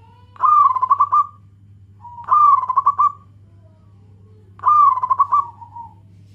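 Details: Local zebra dove calling to companions, males and females answering each other: three loud, quickly pulsed coo phrases roughly two seconds apart, each ending in a softer trailing note, with a steady low hum.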